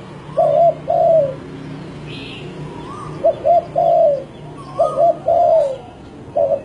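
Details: Spotted dove song: soft cooing phrases near 600 to 700, a short double coo followed by a longer falling coo, repeated about every two seconds, with faint chirps from other birds.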